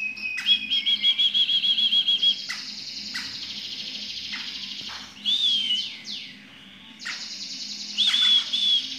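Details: A sooty-headed bulbul sings ngepik, a rapid run of steady clipped notes, then pauses before short bright warbled phrases.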